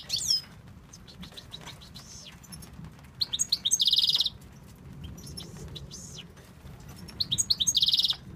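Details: Male European goldfinch from Tunisia delivering bursts of twittering song: a brief opening chirp, quiet gap, then a tinkling run ending in a buzzy rattle, repeated as a second phrase near the end; low background hum.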